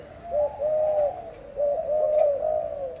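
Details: Parent spotted doves: two smooth, drawn-out coos with a level, gently wavering tone, the second longer, over steady background hiss.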